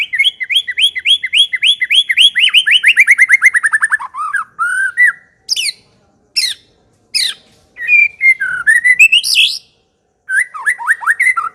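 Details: White-rumped shama (murai batu) singing vigorously in the chattering ngekek style: a fast run of repeated whistled notes sliding downward, then separate sharp chips and rising and falling whistled phrases with short pauses.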